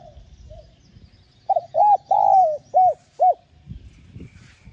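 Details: A spotted dove, in a recording meant to prompt caged birds to coo, delivers one phrase of five mellow coos: a quick pair, one long sliding note, then two short ones. Soft thumps follow.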